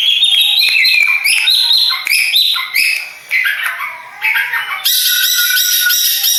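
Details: Long-tailed shrike, Madura type kept for song contests, with varied scratchy chatter and falling whistled notes, a brief lull, then a loud continuous buzzy outburst.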